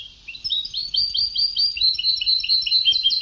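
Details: European goldfinch singing in the Sebtaoui style, from an old song tape: a continuous, rapid run of bright twittering notes, repeated chirps and short trills at high pitch, with faint low background noise.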